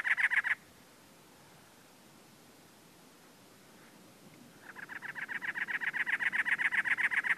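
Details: Male cactus wren calling on territory, perched on a dead bush or teddy-bear cholla in Anza Borrego State Park, San Diego County, California, April 2010: a brief harsh burst, a pause of several seconds, then rapid grating chatter.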